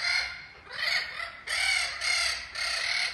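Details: Spix's macaws, the first group chosen for return to Brazil, in a large flocking aviary at ACTP, give harsh, raspy screeches, five rough loud grating bursts in about three seconds.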